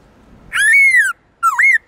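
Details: Black-throated laughingthrush singing its long, loud, clear wild-type song: a long whistled note that rises then slowly falls, then a shorter dipping-and-rising whistle, used to train captive birds.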